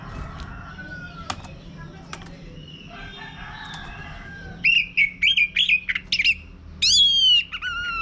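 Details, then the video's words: Male Orange-headed Thrush song used to prompt birds to sing, faint whistles early, then a burst of rapid high whistled notes and a sweeping descending phrase near the end over steady low hum. "Mainkan Video Pancingan Ini Agar ANIS MERAH Mau Berbunyi Ngeplong Kalau jantan ya."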